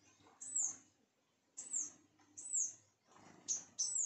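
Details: Sunbirds heard at a home: a series of five sharp, very high, downslurred chips in irregular bursts, with a faint low hum behind.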